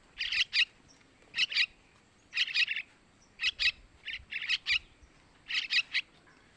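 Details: Begging calls of young yellow-vented bulbuls, played to lure males: scratchy buzzy chirps grouped in twos and threes, each cluster about a second apart over quiet background.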